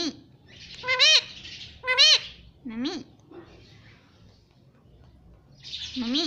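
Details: Pet rose-ringed parakeet repeating "mummy" in short, high, rising squeaky syllables roughly once a second, with faint music hissing in the background between the calls.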